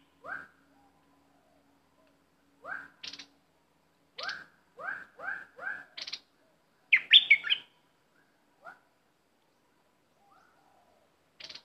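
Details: Caged decoy bulbul repeats low rising two-part whistles in an uneven series, then bursts into a brief loud warble, with crisp clicks scattered between notes.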